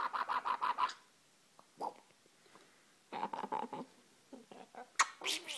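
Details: A pet rainbow lorikeet wrestling and playing at night gives bursts of harsh, raspy chattering notes in quick series, with short pauses between bursts and a few shrill screeches near the end.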